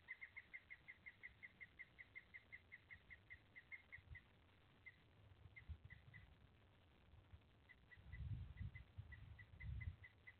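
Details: Female Pileated Woodpecker at a possible nest tree with two holes, making mating calls and movements: a quick run of short, even, high notes, about five per second, then slower scattered notes; low wind rumble near the end.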